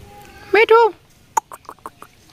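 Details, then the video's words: Indian ringneck parakeet imitating human speech at a Friday bird market in Mirpur 1: two quick, nasal, speech-like syllables, followed by a short run of faint clicks and soft scratchy sounds. "funny talking parrot tiya pakhi কথা বলা টিয়া পাখি টিয়া পাখি মানুষের মত কথা বলে। India ringneck Tia"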